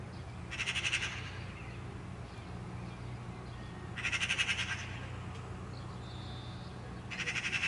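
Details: Harsh rattling chatter of a Eurasian magpie in three brief bursts about three seconds apart, each under a second long, with a faint thin whistle and low hum between.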